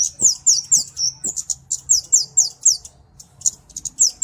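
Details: Kemade flowerpecker, recorded as a master and lure track, giving a burst of piercing high downslurred chips, a brief silent gap, then a few more isolated sharp notes.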